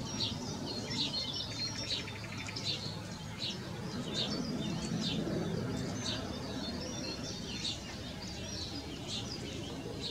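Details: Male Great spotted woodpecker (Dendrocopos major) gives sharp, high 'kik' calls at an uneven pace of about one a second, over a steady low rumble with faint chirps from other birds.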